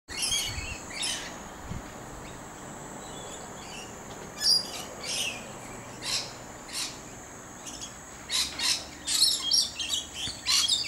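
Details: Wild lorikeet in a tree, giving short, harsh, high-pitched screechy bursts at irregular intervals, growing more frequent and louder toward the end, over a steady faint high hiss.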